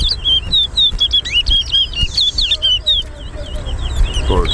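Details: Chestnut-bellied seed finch singing during a towa towa race between two birds at Harbour Bridge: a fast, continuous chain of clear high whistles with up-and-down inflections, ending with a brief lower rising sweep.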